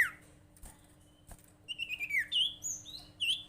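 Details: Sirtu bird lure call, used to get other sirtu or cipow birds calling: after a quiet start, a run of bright chirps and short rising-falling whistled notes fills the second half, with a faint steady hum underneath.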